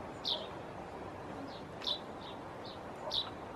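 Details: A young common chaffinch fledgling calls with high, thin, clipped chirps that come at uneven intervals, some louder and some softer, against constant low environmental noise.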